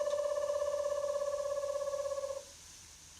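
An indoor electronic ringing tone trills rapidly and evenly for about two and a half seconds, then stops, leaving quiet room noise, with no animal sound.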